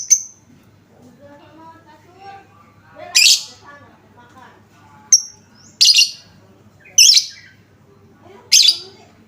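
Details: Lovebird lure sound to draw replies from other lovebirds: a brief high whistle, then spaced harsh, shrill squawks about every second or so, with soft murmuring sounds and low hum underneath.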